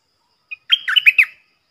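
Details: Stripe-throated bulbul decoy song for training young birds and luring wild birds: one short pip, then a quick, slurred phrase of four warbling, throaty notes, heard alone and clearly.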